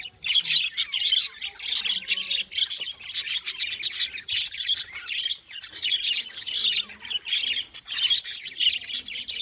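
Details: A group of happy budgies keeps up steady, busy chattering, fast overlapping chirps and warbled trills with brief dips between phrases.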